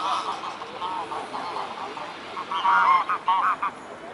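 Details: Mute swans at the Blaues Wunder in Dresden, 14 October 2017 at 14:00; faint harmonic nasal calls at first, then louder honking notes bunched near the end over a steady background hum.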